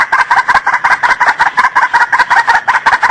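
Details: White-breasted waterhen call used as a lure for trapping birds: loud, throaty, two-part croaking notes, repeated rapidly almost three times per second in a steady run.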